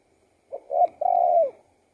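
A spotted dove gives a soft, low three-part coo: a brief note, a slightly longer one, then a drawn-out final coo that fades away.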